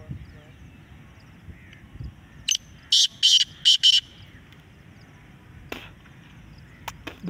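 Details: Black francolin heard in a contest, giving one loud series of six scratchy, buzzy notes in about a second and a half, set between quiet stretches with a low rumble and a few sharp clicks.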